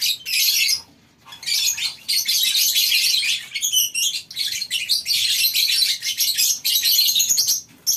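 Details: Lovebirds crowded in a colony cage at a breeding farm call in the morning, a dense high chattering with a pause near one second and a brief rippling squeal around four seconds.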